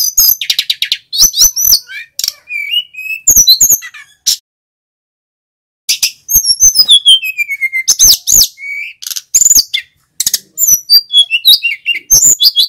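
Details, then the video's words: Singing male mountain flycatcher, loud and in full voice, recorded to train other birds: dense runs of piercing high chips and trills mixed with clear descending whistles, delivered in long phrases broken by a short silence midway. "Burung SIKATAN GUNUNG Jantan FULL GACOR"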